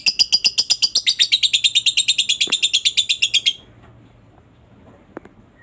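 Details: Lovebird chatter meant to set off other lovebirds: a quick burst of high, buzzy, rapidly repeated notes lasting about three seconds, then near silence with one faint click.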